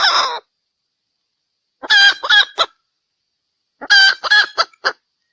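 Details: Female red junglefowl from Sumatra, its call used as a trapping lure: short bursts of harsh, harmonic clucking notes, a brief one at the start, then clusters of three to five notes around two and four seconds, with silence between.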